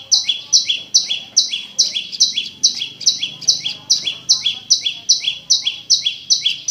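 A prinia repeats a sharp, high two-part chirp, a higher note then a slightly lower one, about two and a half times a second, at a steady, fast pace.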